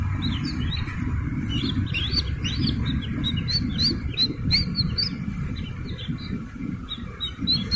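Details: Young Slaty-legged crake calling. Quick, high, slightly upslurred peeps come several per second, irregularly spaced and sometimes overlapping. A constant low background rumble runs throughout.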